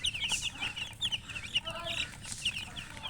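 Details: Colour chickens peeping busily: piercing, short downward chirps repeated several times per second, a few lower, longer notes mixed in, against faint low noise.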